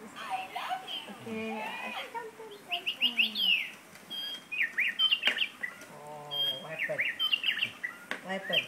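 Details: Parrot in its cage sings a rambling mix of high whistles, quick chirps and looping slurs, broken by lower harsh notes and occasional sharp clicks.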